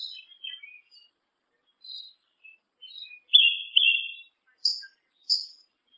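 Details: A black yellow-legged thrush gives sparse high twitters and thin whistles, then a sustained, slightly wavering whistled note, followed by two separate sharp high chirps, in a quiet background.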